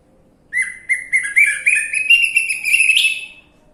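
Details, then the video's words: Orange-headed thrush lure recording to coax a bird into song: a lively three-second run of quick, rich whistled notes, repeated roughly four per second, gradually rising and becoming more varied. "Pancingan Anis merah macet bunyi"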